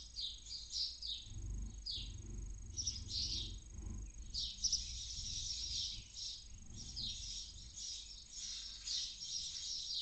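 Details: Inside a Barn owl nest box in Cabañeros National Park, Spain, at first light, when the chicks end their day: a steady string of harsh, breathy hisses, some short and clipped, others drawn out, over a faint low rumble.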